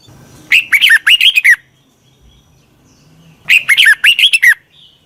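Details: Decoy Red-whiskered bulbul song for attracting wild birds: two clear phrases of quick, liquid, warbling notes that bend up and down, about two seconds apart, with quiet in between.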